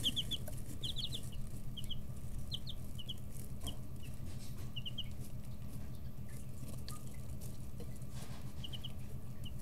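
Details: Chicks 11 to 13 days old in a brooder; clusters of high short peeps early on, then fewer scattered notes, over a steady low hum and light pecking sounds.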